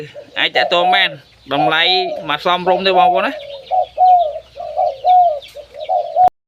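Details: A man speaks at first, then a zebra dove with a big voice delivers a steady series of short, level cooing notes, about six in three seconds.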